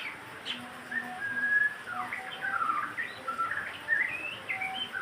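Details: White-rumped shama song meant to get other birds singing, with drawn-out whistles followed by fast, tumbling slurred notes and twitters, while softer steady tones run underneath.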